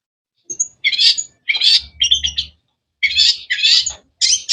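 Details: Cendet, or long-tailed shrike, producing loud harsh rasping bursts about half a second long, repeated with brief pauses, with low bumping noise in the background.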